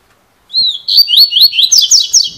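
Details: Double-collared seedeater with a 'cilada' song: a long clear whistle, then about eight rapid rising slurred notes that grow buzzier toward the end, high and loud.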